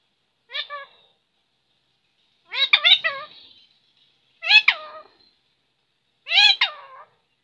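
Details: Talking parrot uttering four separate speech-like bursts, each a stack of bending harmonic tones, spaced roughly two seconds apart with silence between; no other sounds.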